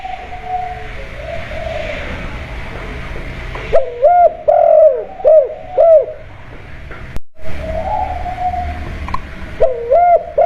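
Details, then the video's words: Spotted dove calls used as a lure to prompt home-kept doves to join in: bursts of three to four mellow, bowed coo notes about half a second apart, then a short silent break, then more coos. "Pancingan tekukur kuk2 burung dirumah 100% langsung IKUT BUNYI"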